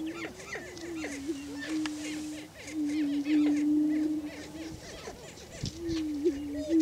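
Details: Several Greater prairie chickens display for breeding territory on a lek in Washington County, Kansas. Rapid cackling yelps, about three per second, are heard over an intermittent low humming drone that fades and then returns.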